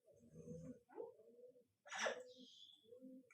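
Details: Pet Congo African grey parrot, a female kept indoors, known for talking and sound effects; low voice-like murmurs, a short rising note, then a harsh broadband squawk, followed by more muffled speech-like syllables in a small room.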